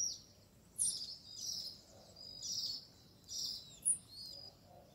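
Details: Great kiskadee family feeding at a feeder set in an acerola tree in Brazil: short high chirped notes in irregular bursts, several per second, with quieter twittering between them.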